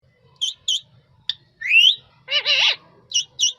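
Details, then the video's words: Rose-ringed parakeet giving a mix of short harsh squawks, a rising whistled slur and a buzzy wavering screech, with brief pauses between the notes. "Green Parrot Bird Natural Sound Effect"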